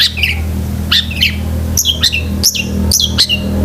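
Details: Long-tailed shrike singing a filled, sekebun-style song meant for training pet shrikes: loud, clear notes sliding downward, given in quick pairs and triplets over a steady low hum.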